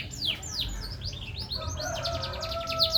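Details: Green canary singing a fast run of high, sliding whistles and chirps, followed by quicker trilled notes with a sustained tone underneath, with faint low rumble behind.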